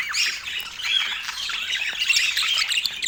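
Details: During morning feeding in autumn, several parakeets keep up a dense, unbroken chatter of high squeaks, warbles and scratchy squawks with no clear gaps.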